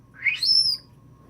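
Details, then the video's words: Female African grey parrot kept as an indoor pet, producing a single bright rising whistle that sweeps upward and fades in under a second, in a quiet room. "Sneezing laughter messenger ring & more"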